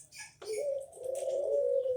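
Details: A Barbary dove of the puter pelung type, kept for song, gives one long, low, smooth coo held steady for over a second. A faint high chirp comes just before it.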